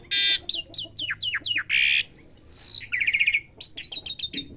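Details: Asian pied starling being taught sounds, producing loud harsh notes, a string of quick downslurred whistles, a long high sustained tone and a fast closing burst of chips.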